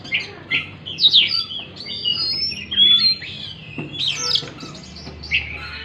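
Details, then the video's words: Oriental magpie-robin song meant to trigger a stressed bird that stopped singing; bursts of sharp whistles and harsh rasping notes alternate with pauses, some notes swooping up and down. "pancingan kacer stres macet bunyi"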